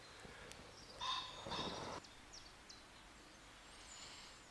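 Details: A Common (ring-necked) pheasant gives one harsh, loud two-part crow lasting about a second, followed by a brief whirring burst, in forest near an abandoned rail tunnel; faint high bird notes and quiet woodland background follow.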